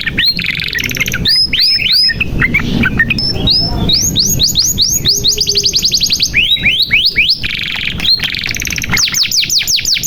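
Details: Lively canary song meant to coax hesitant young birds into singing: rapid runs of high, falling chirps alternate with buzzy rattles and brief pauses, switching between fast trills and slower looping notes, over a faint low hum.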